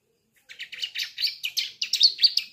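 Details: Young Sunda streaked-tit (ciblek) learning its song: a fast, accelerating series of high, bright chirped notes that grow louder and sharper toward the end.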